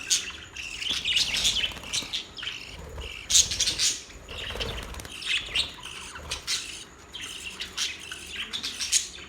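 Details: Budgerigars chattering in irregular bursts of scratchy, high chirps and squawks, with occasional louder sharp notes among the babble.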